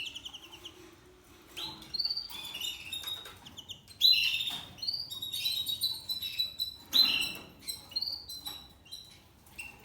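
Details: Young male Spanish Timbrado canary, seven months old, in discontinuo style: scattered short chirps and rising whistled notes, irregular and fairly quiet, with gaps between phrases.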